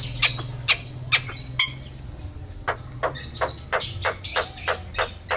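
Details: Javan myna with yellow eyes that copies human words such as greetings; sharp, broadband squawking notes repeated roughly twice a second, uneven in loudness, over a faint low hum.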